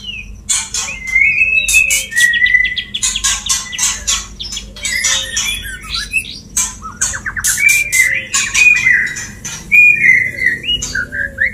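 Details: White-rumped shama male singing to a female to bring her into breeding condition: rapid harsh rattling notes alternate with sliding whistles and brief descending trills, about four notes per second, over a low steady hum.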